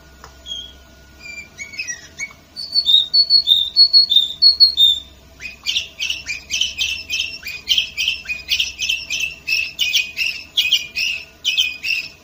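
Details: Canary recorded in Varna, Bulgaria, in 2018, singing clear whistled notes, some sliding and repeated in short runs, then switching to a loud, rapid series of buzzy rolling phrases repeated about twice a second.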